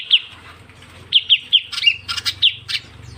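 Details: Ciu kunyit bird call used as a lure for trapping: quick high chirps, some single and some in clusters, with bursts of harsher squawky notes near the end, over a faint low hum.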